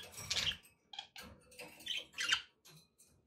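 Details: Budgerigars kept as pets chatter in short bursts, harsh scratchy chirps and squawky notes separated by brief gaps, with faint low room noise beneath.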